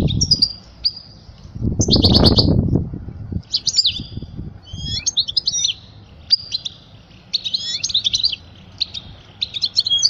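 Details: European goldfinch singing, a recording for teaching young birds: scattered high twittering and tinkling phrases separated by short pauses, opening with a brief loud rustling noise near the start.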